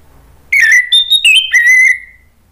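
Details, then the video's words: Orange-headed thrush lure song for stalled singers: four clear whistled notes, the first dipping, the second higher and steady, then a slurred note and a long, gently falling whistle, all loud and clean. "bikin ANIS MERAH lain jadi ikut NYAUT NGEPLONG ¦ PANCINGAN AM ¦ TERAPI MACET"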